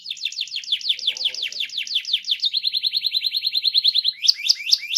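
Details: Canary giving a rolling song meant to stir other canaries into singing: a long, fast, high trill of rapidly repeated notes that shifts into a tighter, even faster roll, then ends in a few sharp separate notes.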